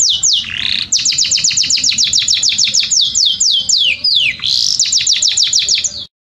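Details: Tutoring song for Belgian canaries: fast series of steeply falling high notes, roughly three per second and more, broken by a couple of slower downward slurs, with a brief nasal rolling phrase.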